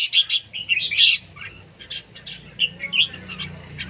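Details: Red-whiskered bulbul at a singing competition: loud, sharp chirps and a harsh burst opening the clip, then softer whistled notes trailing off, over low background rumble.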